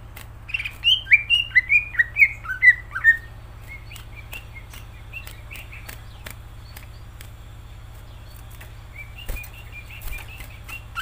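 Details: Greater green leafbird delivering a fast series of bright, descending whistled notes for about three seconds, then quiet with a few soft chips and clicks later.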